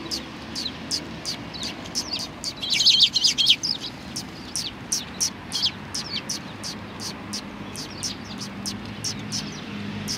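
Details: Eurasian tree sparrows on 29 November 2019, one coming for insects; steady stream of high, clipped chirps several per second, broken early by a busier burst of twittering from more than one bird.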